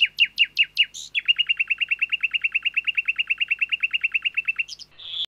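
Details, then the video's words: Lovebird training song for building a long trill (ngekek panjang): a few high, spaced chirps open into a long, even, rapid trill of sharp descending notes lasting over three seconds, ending in a short squeal. "MELATIH LOVEBIRD NGEKEK PANJANG"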